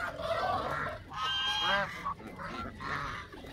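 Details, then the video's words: Canada goose uttering drawn-out, two-part honks, a long strident blare followed by shorter nasal notes, with mild background noise. "وز كندي"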